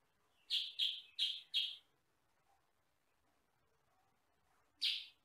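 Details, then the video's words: Sooty-headed bulbul, locally kutilang sutra, a yellow-and-black bird said to have a fairly loud voice of one or two tones, recorded as tutor audio for other birds: four quick harsh chirps in a row, then one more after a pause. "MASTERAN BURUNG KUTILANG SUTRA"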